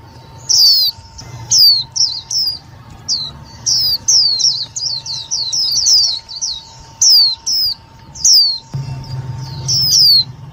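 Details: Indian white-eye lure calls for trapping and rousing other white-eyes: high, sharp descending chirps delivered in short clusters separated by brief pauses, a steady faint electronic tone and low rumble in the background.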